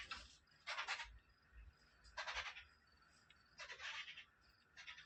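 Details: Arabian babbler young giving loud grating rasps, broad and noisy, in short bursts about every second and a half, alternating with fainter quieter calls.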